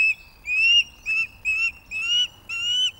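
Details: A food-begging female osprey at Loch of the Lowes in 2024 presses a young male to prove he can supply fish. Five loud, high, gently upslurred whistles follow one another closely, each about a third of a second long.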